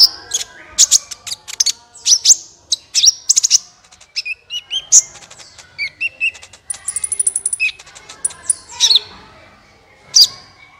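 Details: Busy sunbird song to spur other birds to sing: rapid high chips and twitters nearly throughout, with a fine buzzy trill midway and scattered sharp notes.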